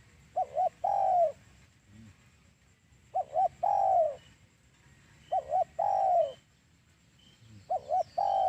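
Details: Lure call of a spotted dove for trapping: four regular phrases, each two short bursts and a long downslurred coo, roughly every two and a half seconds, with faint hiss.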